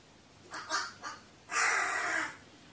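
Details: Crow on 15 May 2018 making a couple of short rough caws, then one long, drawn-out raspy call, against a hissy background.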